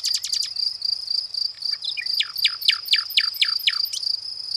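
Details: Nightingale's song opens with a quick flurry, then repeats a sharp falling note about eight times in steady rhythm, with a steady shrill cricket chorus behind.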